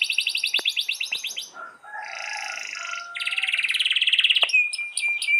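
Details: Canary master song with long rolls, aimed at silent or hard-to-pair canaries: a fast trill, a harsher buzzy passage, a bright dense roll, and closing thin whistled notes.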